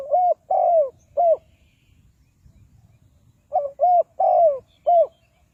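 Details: Spotted dove calling, used as a lure for trapping wild doves: two phrases of four mellow, low coos, each with a longer, down-curving middle note, separated by about two seconds of quiet.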